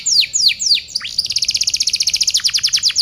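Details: Canary tutoring song for training other birds: three sweeping downward whistles, one deep swoop, then a rapid even trill of high repeated notes, roughly seven per second, ending in looser slurred notes.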